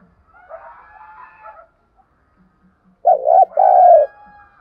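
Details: Decoy spotted dove luring wild birds: a faint distant murmur of coos first, then one loud low phrase, a short wavering note and a long rolling coo.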